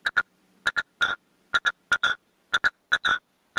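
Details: Red-legged partridge decoy cock in a cage, calling out to wild partridges with its 'canto de mayor': repeated bursts of two sharp chucks followed by a drawn-out rasping note, roughly every second, with nothing else audible.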